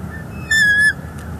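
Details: Female bald eagle calling at her nest in northeast Florida, December 2021, on a live nest camera as the male brings fish and sticks: one steady, high, piercing whistled note of under half a second, rich in overtones, over a low background rumble.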